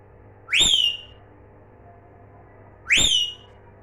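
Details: Parrot giving two loud whistled calls about two and a half seconds apart, each sweeping sharply upward then gliding down in a rich, harmonic tone, with a faint steady hum underneath.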